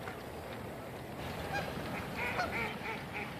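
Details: Canada geese on a Canadian winter shoreline with floating ice give several short, nasal honks in quick succession over a steady rush of wind or waves.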